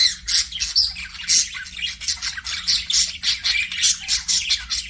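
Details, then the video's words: Aviary budgerigars, pet parakeets, keep up a fast, noisy chatter of harsh buzzy squawks and chirps, pulsing several times a second with steady loudness, a low hum behind. "PARAKEET NOISES"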